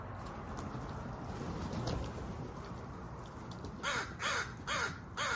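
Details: After a quiet start, a crow calls four loud, grating caws spaced about half a second apart toward the end.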